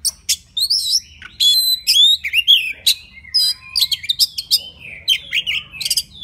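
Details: Forest White-rumped shama singing to call a female: a rich run of clear whistled notes, sharp upward sweeps and quick chirps, high and varied, broken by short pauses, with no other clear sounds.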